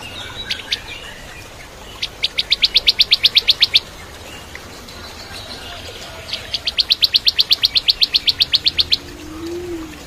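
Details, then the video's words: Bar-winged prinia singing as a training model for shamas: two long bursts of rapid, evenly spaced sharp metallic chips, roughly four per second, each run lasting about two seconds, with soft background chirps. "Masteran Cimblek Kristal Gacor (masteran murai Batu trotol)"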